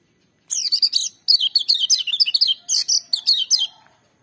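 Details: Loud, ringing song of a lemon-bellied white-eye, delivered in a fast stream of sharp, high chirps and slurred whistles for about three seconds with only brief breaks.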